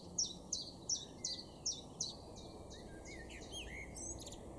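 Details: Garden chiffchaff in Weener, northwestern Germany, May 2022, giving a run of regular high sweeping notes that stop after two seconds, followed by softer twittering from another bird.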